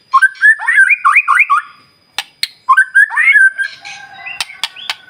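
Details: Morning lure song of a White-rumped shama meant to make other birds answer: two bursts of quick rising and falling whistles separated by a pause with sharp clicks, then a softer trailing phrase.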